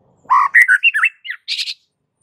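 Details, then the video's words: White-rumped shama in aggressive master song for fight training: harsh squawky slurred notes in a quick run, followed by a short high chattering burst. "jadikan Murai Batu siap TARUNG dengan MASTERAN Murai Batu GACOR NGAMUK satu ini"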